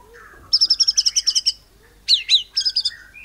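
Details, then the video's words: Song of a white-rumped shama used to stir other birds to sing, a fast run of about ten bright repeated notes, a pause, then two sweeping whistles and a shorter repeated series. "Murai Batu Nembak Cungkok Cililin ini AMPUH Memancing Burung Lain Jadi GACOR"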